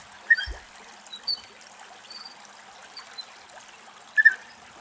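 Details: European bee-eater perched on a fence in late afternoon, Axios Delta National Park, Thessaloniki, Greece, giving two short, rolling calls about four seconds apart, over a steady background hiss like trickling water.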